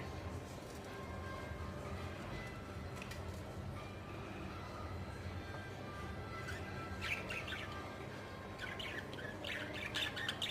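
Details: Pet budgerigars being hand-fed chatter in quick, scratchy chirps over a steady background hum.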